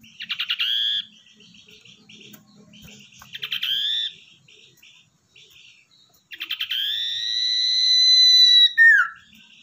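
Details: Wild-caught, tamed common iora singing actively as a lure bird: two bursts of quick stuttering chips with short rising notes, then a long sustained whistle held for over two seconds that ends in a quick downward slur.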